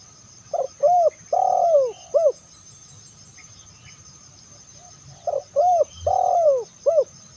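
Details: Spotted dove calling, used to lure other doves: two phrases of mellow cooing notes, short hoots followed by a longer drawn-out coo and a clipped final note, separated by a quiet pause over steady background hiss.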